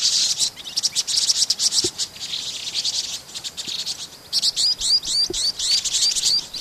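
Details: Vinous-throated parrotbills recorded in Pingtung City, Pingtung County, Taiwan, on 16 March 2014: dense, high-pitched twittering and chirping from several birds, busy and overlapping, with a run of sharper rising notes near the end.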